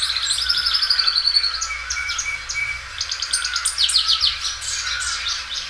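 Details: Loud-singing, well-kept Belgian canary doubling its song: a long unbroken run of rapid high trills and buzzy rolled phrases, changing pace several times and stretching each phrase out.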